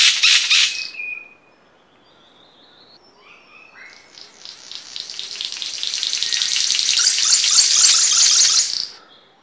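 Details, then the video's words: A King of Saxony bird-of-paradise (Pteridophora alberti) gives a short hissing burst and a thin whistle, then a long, high, crackling rattle that swells and cuts off. "Suara Burung Surga Cenderawasih panji king of saxony bird of paradise Pteridophora alberti"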